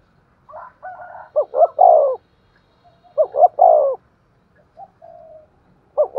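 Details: Spotted dove cooing hard in the 'thúc gù' style. Soft lead-in notes build to two quick rising hoots and a drawn-out, descending coo. Two full phrases are separated by quieter murmurs.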